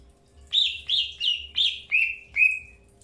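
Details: Greater green leafbird in captivity during early pairing: six loud downslurred whistled notes, about three per second, the last ones drawn out into flat tails.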